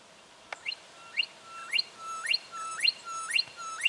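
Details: Juvenile brown goshawk in Victoria, Australia, October 2011: a series of high calls roughly every half second, each a short level whistle that sweeps sharply upward into a thin squeal, with one sharp click near the start.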